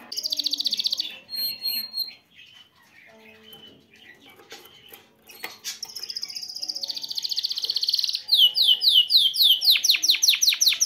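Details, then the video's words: Agitated male canary in a cage, singing to get a female ready to mate: a high trill, a pause filled with faint clicks and soft rustling, then long rolling trills and fast swept notes. "تغريد ذكر كناري هائج يريد تكسير القفص يحفز الانثى لتزواج"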